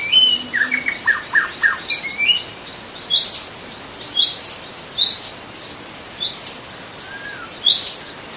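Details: In the wild, a white-rumped shama opens with a few descending whistles, then repeats short upswept notes roughly once a second, while a constant high insect buzz fills the background.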